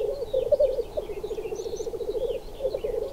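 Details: Male black grouse, wandering apart rather than charging each other, give a low, continuous bubbling rookoo into the open air, pulsing steadily with no pause, while faint higher chirps flicker above.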